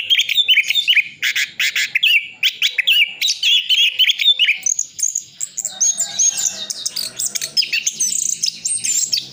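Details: Orange-headed thrush from Sidoarjo, East Java, pouring out isian full song meant for tutoring contest birds: dense rattling trills and chattering notes, then thin high whistled phrases.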